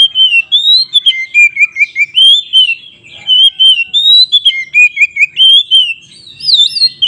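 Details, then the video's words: Long stream of White-rumped shama song, played to rouse other shamas to fight: varied whistled phrases, rising and dipping, chopped into fast bright notes, with a brief pause midway and high thin trills near the end. "suara BURUNG Kacer GACOR ngeplong KONSLET Tarung ini Paling Ampuh untuk PANCINGAN KACER agar EMOSI"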